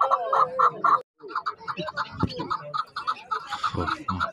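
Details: Chukar partridges at a Saturday bird market in Zarafshon, Dushanbe, 10 February 2024: a quick series of clucking chuck notes, briefly broken off, then resuming among crowd chatter and bumps.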